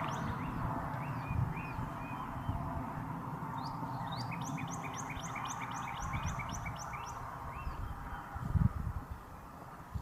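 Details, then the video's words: A cardinal, with a female in the trees calling for her mate and a red male on a wire, gives a run of high, clear downslurred whistles, quickening to several a second mid-clip, over a low rumble with soft thumps. "Female & Male Cardinal Bird Mating Call Sound"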